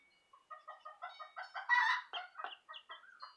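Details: Southern Rambler and Golden Comet chicks peeping: a run of short, clear chirps repeated rapidly, building into a louder, denser burst midway, then quick single peeps again, with no other clear sounds.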